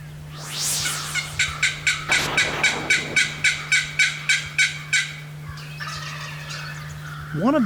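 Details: A wild turkey longbeard gobbles on an April morning during a spring hunt, a rapid rattling run of about fifteen throaty notes over four seconds, with a steady low hum beneath.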